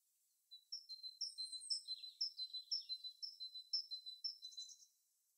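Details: Bird song from a natural habitat: a regular run of high two-note chirps, roughly two each second, with faint twittering from another bird behind them midway.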